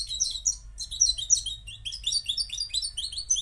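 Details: Bright twittering phrases from a Moroccan goldfinch: quick, high, liquid chirps in short clusters with tiny gaps, steady throughout, over a faint low-frequency hum.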